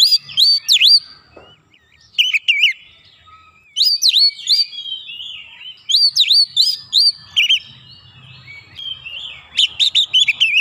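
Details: Oriental magpie-robin answering a lure recording with emotional, persistent singing of its full repertoire: several phrases of swooping high whistles alternating with lower warbles, broken by short pauses over ten seconds.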